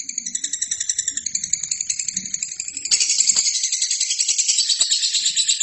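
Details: Gacor (prolific singing) lovebird, recorded as a tutoring track for other birds: a long, continuous, high-pitched chattering trill of rapid, even pulses that suddenly grows louder and denser about halfway through.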